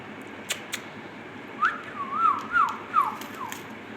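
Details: Pet Indian ringneck parakeet, talking bird, giving a run of four or five clear whistled notes, each sliding up then down, about a third of a second apart, over steady room hiss with a few clicks.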